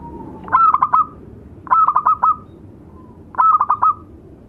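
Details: Local male and female zebra doves singing as tutor birds: three short phrases, each a soft lead-in note followed by four quick, clipped coos, repeated roughly every one and a half seconds.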